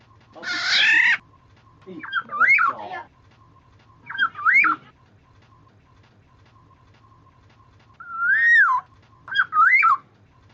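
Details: Oriole on a bird-luring track: one harsh rasping call, then several short fluty whistled phrases that rise and fall, given in bursts a few seconds apart, with a faint steady tone in the background.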